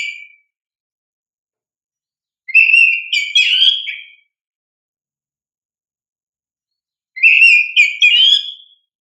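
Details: Oriental magpie-robin lure song for training young birds to respond: dense, chattering phrases mixing whistles with scratchy trills, each about two seconds, repeated after long silent gaps.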